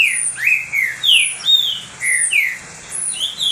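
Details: Green-winged saltator kept as a pet bird, singing a lot, its song used to warm up and stimulate other saltators: loud whistled slurred notes, rising and falling, in quick phrases, with thin high chirps above.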